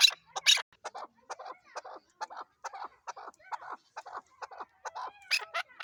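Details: Chukar partridge, Pakistan's national bird, giving a run of short, harsh clucking notes about twice a second, with louder, sharper notes at the start and end.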